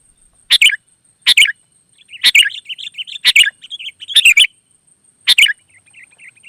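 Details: Wild sooty-headed bulbul: loud bubbly phrases repeated about once a second, with softer warbling chatter filling the gaps between them, as if a second bird answers; faint steady high whine.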